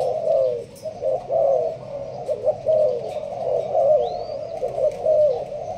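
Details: Caged Malaysian-strain spotted dove cooing in the sparse urging style. Soft throaty coo notes repeat roughly every second, with a faint high thin chirp from another bird near the end.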